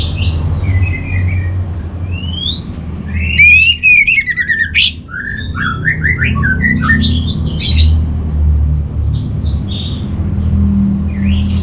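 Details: Orange-headed thrush song used as a master for training kept birds: scattered whistles, then a loud flurry of rasping and slurred notes, followed by sparse chirps over a constant low hum.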